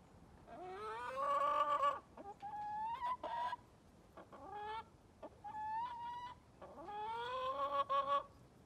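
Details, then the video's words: Neighbour's hens heard on December 23, 2020, giving drawn-out, nasal, rising clucks and shorter squawked notes in loose bursts, with a faint background hiss. "Neighbor's hens (tyúkszomszédok)"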